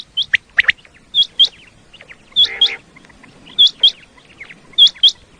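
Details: Common quail calling, a sound used in Pakistan to draw quail in for hunting: sharp hooked whistles in quick pairs, repeated about every second and a quarter, with softer lower notes underneath.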